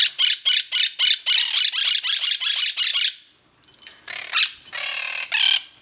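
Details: Pet Quaker parrots (monk parakeets) anxious at a new food dish give their freak-out noise: harsh, shrill squawks in a rapid series, about two per second, then a pause and a few more ragged, longer screeches.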